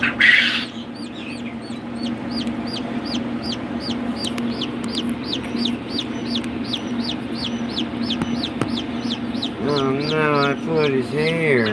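High, falling peeps repeat about four times a second over a steady low hum, with wavering clucking sounds near the end.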